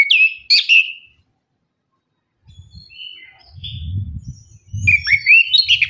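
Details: Lure song of an orange-headed thrush for birds that will not sing: lively, twisting whistled phrases at the start and end, thin high notes between, and a low rumbling sound in the background.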